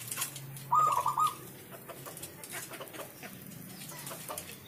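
A zebra dove gives one short, rapid, stuttering coo phrase in a soft mid pitch, lasting about half a second, over a faint background hiss.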